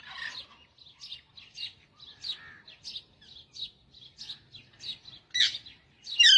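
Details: Singing parrot giving a series of short, high chirps spaced roughly half a second apart, ending in two louder, harsher rasping notes.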